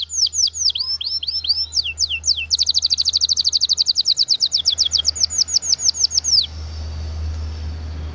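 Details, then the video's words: Canary singing in the gacor style with cengkok mewah, a luxurious melodic variation: high, sharply down-slurred notes build into a fast, even rolling trill of about forty strokes over four seconds, then stop abruptly, leaving a low steady hum. "Suara Burung Kenari Gacor cengkok mewah"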